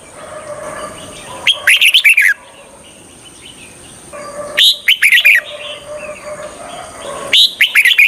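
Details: Red-whiskered bulbul (Pycnonotus jocosus), a decoy bird used to lure wild bulbuls for trapping, sings three short bursts of bright, bubbly, warbled phrases, one every few seconds, over a steady high-pitched whine and faint hum.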